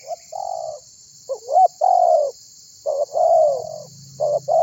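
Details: Tekukur, spotted dove, calling to get other birds to sound: a run of soft coos, upswept notes leading into long descending tones, closely spaced, with a steady high insect buzz and faint low hum.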